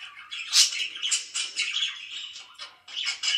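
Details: Budgerigar chirping in the morning among pet birds, a loud high squeak near the start followed by buzzy chattering phrases and a brief lull.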